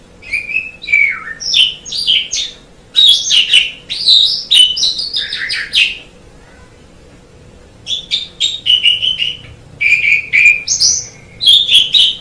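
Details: Javan pied starling song, a long medley of chirps, descending whistles and rasping notes in phrases, with a brief break midway before more bright whistled bursts.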